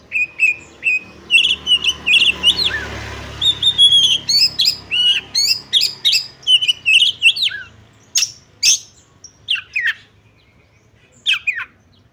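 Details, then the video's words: Female Oriental magpie-robin call meant to rouse males to fight: a long, rapid series of varied whistled and chattering notes, about two to three per second, then scattered sharp clicks and chips toward the end. "Pancingan Kacer Agar Cepat Emosi || Langsung Bukor Tarung"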